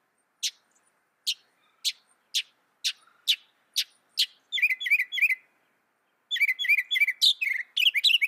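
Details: Northern mockingbird song: a run of sharp single chips about half a second apart, then rapid repeated twittering phrases, a brief pause, and another fast burst of varied, jumbled, repeated notes.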